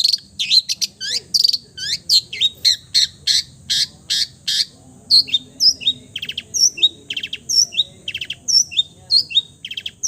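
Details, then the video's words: Long-tailed shrike singing a full mimicry song, imitating other birds: dense run of sharp high chirps, squeaky notes and short rattling bursts, closely spaced and varied, with steady high hiss behind. "MERDU SUARANYA, BISA MENIRUKAN SEGALA SUARA JENIS BURUNG | CENDET FULL MATERI"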